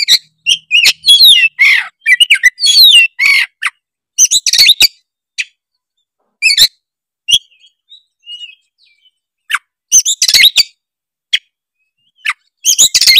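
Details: Vigorous Oriental magpie-robin song, used to prompt other birds of its kind to sing: rapid runs of varied whistles, slurred rising notes and rasping bursts, broken by short gaps and quieter stretches, then renewed loud flurries.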